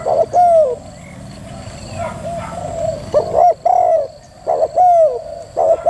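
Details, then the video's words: Female spotted dove: an opening falling coo, a stretch of quieter background cooing, then clear repeated doubled notes and long downward-sliding coos toward the end. "chim cu gáy mái thúc gù cực hay"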